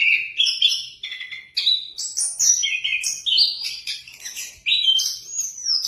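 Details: Orange-headed thrush in song: a continuous tumbling run of clear whistles and slurred notes, shifting up and down in pitch without pause.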